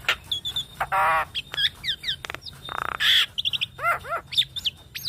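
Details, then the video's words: Javan myna (jalak kebo) song used as a training recording for other mynas, a busy medley of whistled notes, harsh buzzy bursts, rapid rattles and descending slurred phrases in quick succession, with no background noise. "Masteran dan Pancingan Jalak Kebo Cocok Untuk Semua Jenis Burung Jalak Wajib Cepat Gacor"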